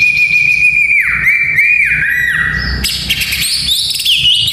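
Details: White-rumped shama song used for training young males for fighting: one long steady whistle slurring downward twice, then a burst of quick, varied high notes.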